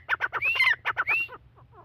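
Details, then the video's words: Pair of Irani partridges calling: a rapid run of harsh, rhythmic squawking notes about every tenth of a second, broken by two bright rising whistled slurs, fading to softer notes at the end over a low steady hum. "Irani teetar ki awaz"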